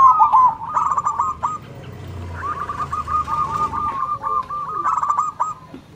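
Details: Local zebra doves exchanging loud manggung song: a trilled opening phrase, then a long string of quick repeated coo notes and a final stuttering burst, over low rumbling background noise.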